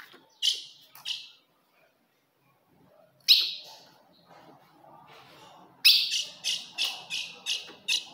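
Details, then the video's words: Female ultramarine grosbeak call used to provoke a male: three sharp, high chips dropping in pitch, a pause, one more, then a quick run of about seven similar clipped notes. "se o seu azulão não segura fogo de fêmea Esse é o vídeo"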